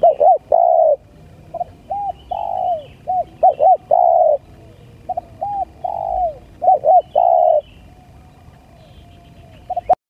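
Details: Spotted dove lure calls: repeated phrases of quick arched coos and longer drawn-out notes, loud and irregular over ten seconds, faint high bird chirps behind, ending in silence.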